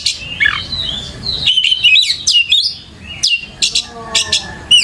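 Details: White-rumped shama lure song: rich varied phrase of high whistles and fast buzzy sweeps, then a run of clipped rhythmic notes repeated several times per second, over a low steady hum.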